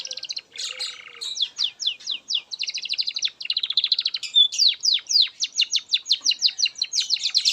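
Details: Canary song meant for training young canaries: a buzzy rattle opens, then crisp repeated downslurred whistles and fine trills follow in rapid, lively phrases.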